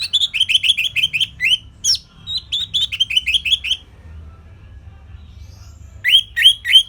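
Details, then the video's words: Song of the Orange-headed thrush as a model for training songbirds: fast runs of sharp repeated chip-like notes, about three per second, in two series, a pause, then another quick burst. "Kicauan Simpel ANIS MERAH Gampang Untuk Ditiru Sebagai Masteran"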